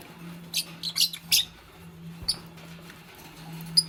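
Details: Fischer's lovebird, green, housed with a pastel bird during nest building. Three sharp, high chirps arrive in the first second and a half, then only faint squeaks over a low steady hum.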